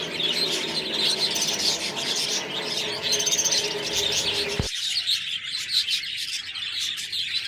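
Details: Budgerigars chirping and chattering in a dense, continuous high warble, while a strong low humming, tonal background fills the first half and cuts off abruptly midway, leaving the bird chatter clearer.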